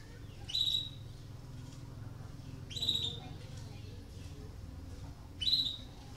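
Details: Canary in breeding condition, sounding to stimulate other canaries to sing: three sharp, high, bright chirps with a brief downward sweep, spaced about two and a half seconds apart, over a steady low hum.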